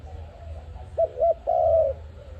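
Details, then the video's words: ARIMIX dove, recorded for trapping. One phrase of two brief rounded notes followed by a long, steady, slightly falling coo over a low rumbling background. "Sound of ARIMIX dove quality sound to use for trap"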